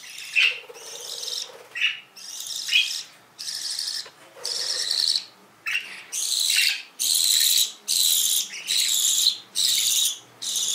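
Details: Canaries, described as exotic birds: a run of harsh, buzzy high notes repeated roughly once a second, growing louder and steadier toward the end, with a few softer chirps early on.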